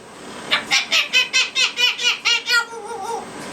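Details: A pet African grey parrot at night, being settled for bed in a dark room, gives about nine quick, breathy, monkey-like laughing hoots, one every fifth of a second, then a trailing warble. A person speaks faintly.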